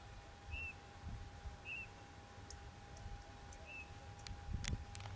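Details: Soft, low, piping whistles from a Eurasian bullfinch (Pyrrhula pyrrhula), three slightly falling notes about a second apart, recorded by digiscoping during the hottest hours of the day, with a steady hum and a few clicks behind.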